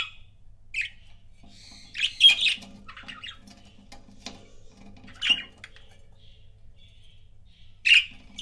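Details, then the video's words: Pet budgerigar couples giving isolated loud squawky chirps every two to three seconds, with softer scratchy chatter and light tapping between them. "CUTE BUDGIE COUPLES"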